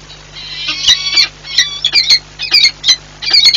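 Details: Peregrine falcon pair changing over at their nest in Płock, Poland, on 4 April 2022; drawn-out, wailing harmonic calls followed by loud, grating chips in quick groups, against a faint steady hum.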